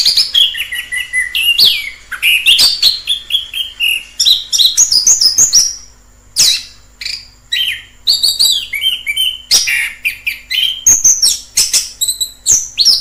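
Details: Orange-headed thrush singing in the wild, a long lively sequence of fast high whistles, trills and sweeping notes mixed with lower phrases, one short pause around six seconds.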